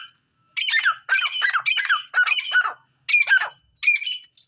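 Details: Grey francolin associated with fighting gives loud, rasping, strident calls in quick bursts, grouped in a rhythmic sequence of six phrases separated by short pauses.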